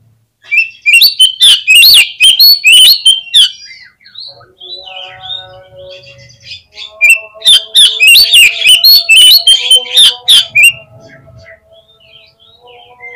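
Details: Oriental magpie-robin singing as a lure to draw quick answers and tail-spreading from other birds: two long bursts of loud, fast, varied whistles and harsh chips, separated by a quieter stretch with a steady tonal hum.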